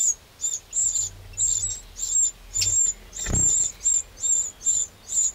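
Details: Eurasian wren in a garden in the Châtillonnais, Burgundy, France, on 2 June 2023: a steady series of short, sharp, high chirping notes, about two per second, with one soft low thump midway.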